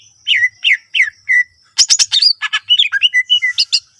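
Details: Greater green leafbird singing a varied song used to coax other leafbirds into song: four separate down-slurred whistles, then a burst of harsh buzzy notes leading into a rapid mixed sequence of chirps and whistles.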